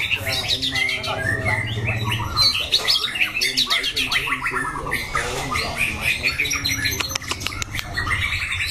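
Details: White-rumped shama competition bird, loud-voiced and varying its phrases; busy, buzzy chatter and whistled trills over a steady low mechanical hum.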